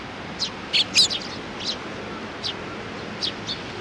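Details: Eurasian tree sparrows, including a juvenile, recorded 27 June 2019: a quick run of high tweets early on, two loud close notes, then sparser single chirps fading out.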